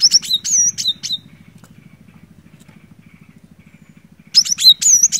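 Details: Energetic cinereous tit song for prompting a silent bird to sing: two bursts of rapid, high whistled notes with downward slurs, about four seconds apart, over a continuous low pulsing engine-like hum.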